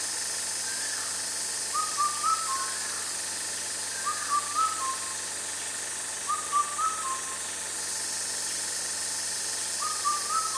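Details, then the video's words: An Indian cuckoo, rare and heard as a sign of summer, repeats its loud four-note whistled phrase four times at steady intervals of about two and a half seconds. A constant high hiss runs behind it. "Rare Indian Cuckoo calling | Indicator of Summer | Beautiful and loud singer"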